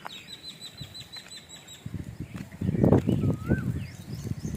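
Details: Wild birds heard during a morning walk: a quick run of thin, high repeated notes, then a single slurred whistle, over loud footsteps and rustling.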